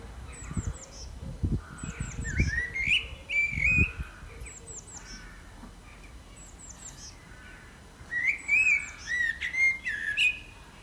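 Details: Blackbird singing: loud, fluty, warbled phrases that rise and twist, one burst early on and another near the end. Thin, high, falling chirps from other small birds repeat throughout, with harsher, lower calls and a low rumble at the start.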